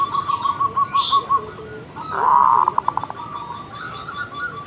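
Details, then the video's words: Zebra dove calling in the morning: a row of short, beaded cooing notes, then a louder rolling, stuttered coo phrase and softer trailing coos, with faint higher chirps from other birds and low background noise. "Pancingan suara burung perkutut gacor | zebra dove still calling every morning"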